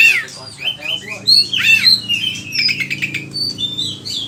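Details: Actively singing oriental magpie-robin used as training material for other birds: rapid mix of rasping, squawky notes and clear whistled slurs in quick succession, with a faint low hum beneath.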